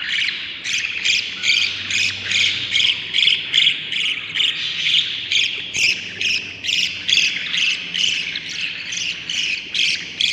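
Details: Budgerigar chicks in a breeding nest, seven hatchlings at day 38: a long series of harsh, rasping pulses repeated roughly twice a second, very regular, with softer chatter underneath.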